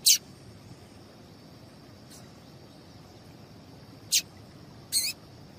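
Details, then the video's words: Papa-capim seedeater female calls, used to stir males into song: short sharp high chirps, one at the start, a faint one near two seconds, then two close together near the end, with soft background hiss. "Piado de Fêmea de Papa capim"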